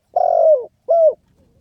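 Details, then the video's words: Spotted dove giving two notes: a long, burry coo that slides downward, followed by a shorter clear coo; quiet surroundings. "เสียงนกเขาใหญ่ เสียงขันโยนเร้าๆ.."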